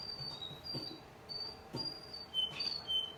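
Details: Young male Russian canary singing in the evening: thin, high, pure whistled notes, some held and some sliding downward, spaced unevenly over a quiet low background hum.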